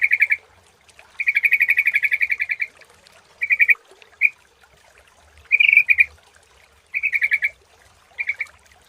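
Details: Sooty-headed bulbul lure recording, fairly quiet: a long rapid trill of even chirps, followed by several short chirping bursts and single notes with gaps between.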